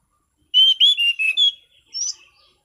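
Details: Orange-sided thrush singing relaxed yet prolific, clear and soothing ngeplong song in prime condition: four loud, clear whistled notes in quick succession, slightly wavering, then a short pause and a softer, higher rising whistle.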